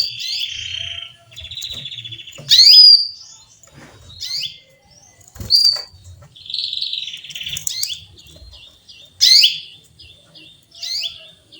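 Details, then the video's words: Female canary calling for a male with short, bright chirps and clipped whistles, mixed with buzzy trilled stretches and repeated roughly every one to two seconds; faint clicks and taps in the background. "Female canary chirps calling male"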